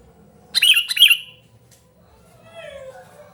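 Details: Sooty-headed bulbul giving a noisy call, used to lure and tutor lazy-singing bulbuls: two quick harsh chirps in a row, followed by faint lower sliding whistled notes in the background.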